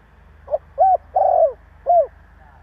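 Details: Male-voiced spotted dove call used to provoke other doves: one complete phrase of a soft short note, a fuller coo, a long drawn-out coo and a final short coo.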